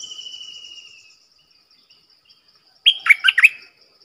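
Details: Decoy Streak-eared bulbul, used to call in wild birds and coach young birds, gives one rich, bubbling burst of warbled notes near the end, after a thin high trill and a quiet pause.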